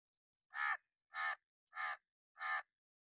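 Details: Crow giving sharp, loud caws used for alarm or warning, in an angry mood: four harsh, raspy calls spaced about 0.6 seconds apart, each short and even in loudness, over an otherwise quiet background.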